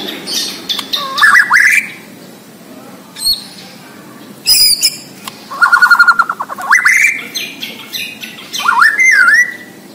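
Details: White-rumped shama of the Borneo type singing energetically: loud varied phrases of rising whistles, harsh rattling bursts and sharp squawky notes, with steady background hiss between phrases.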